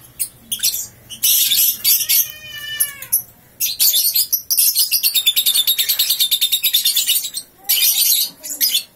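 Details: Ngekek by a three-month-old lovebird on waking: loud shrill bursts, a descending series of clear squeaky notes, then a long, very fast, evenly pulsed chattering trill lasting about three seconds before a final harsh burst.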